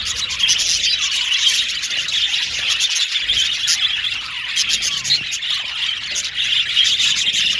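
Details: A colony of captive male budgerigars warbling together in an aviary, a dense mix of rapid chirps, chatter and high squeaks, steady in loudness throughout.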